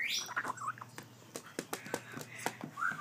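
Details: A grey parrot chick, affectionate after hand-feeding, gives soft, whiny squeaks and rising whistled notes mixed with quick clicks and grunts, several each second.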